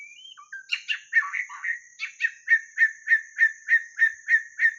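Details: White-rumped shama song played to lure birds: a few rising whistles, then a run of short, bright two-part notes repeated about three times a second, with a faint steady high hiss behind.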